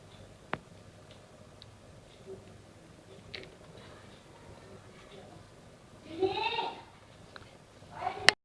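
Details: A pet cockatiel trying to bite a person's fingers gives a harsh, harmonic call that rises and falls over about a second.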